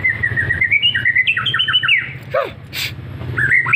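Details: White-rumped shama, F3 bird from Lampung, Indonesia, singing actively: a flowing sequence of clear whistled notes stepping up and down, quick paired slurs, a low descending note, a brief noise burst, then more whistles.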